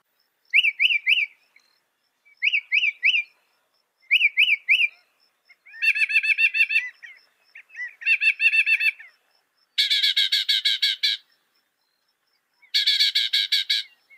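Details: Mimicking song of a northern mockingbird, said to reproduce 200 sounds: triple chirped phrases repeated three times, then longer trilled passages and two dense rapid buzzy rattles, all high and crisp against silence.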